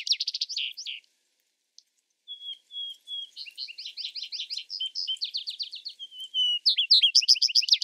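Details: Vesper sparrow delivering several songs: a trill burst, a silence, then clear level whistles leading into varied chattering trills. The closing phrase is a loud, rapid buzzy series.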